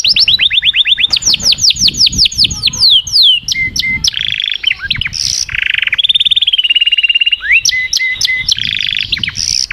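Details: Canary song in quick succession: a run of sweeping downward whistled notes, then buzzy rolls, steady pulsed trills and bright chirps, loud and close, with a faint low murmur underneath.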